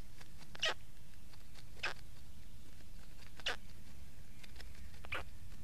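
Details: Black stork producing four rough, breathy bursts spaced one to two seconds apart against a continuous low rumble.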